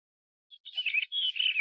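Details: A blue rock thrush (Monticola solitarius), the blue-bellied form pandoo, gives one brief, warbling burst of high, slurred notes lasting about a second, with a clean background.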